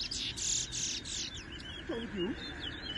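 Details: Chestnut-bellied seed finch (towa towa) singing in a 2022 bird race at a bird ground in New Amsterdam, Guyana; a rapid run of high, buzzy chirps followed by thinner twittering notes, with faint low whistles and crowd murmur.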